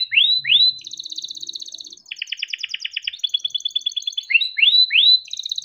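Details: Long rolling song of a kept canary, played to encourage other canaries to sing: downward whistled sweeps, steady rapid trills and rattling chirp runs alternating in quick succession.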